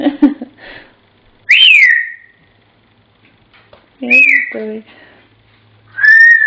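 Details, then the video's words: Pet African grey parrot whistling Pop Goes the Weasel: short speech-like sounds, then three loud, pure whistles with downward slides, separated by pauses, and a throaty burble between the second and third whistles. "Cosmo The African Grey - Pop Goes The Weasel"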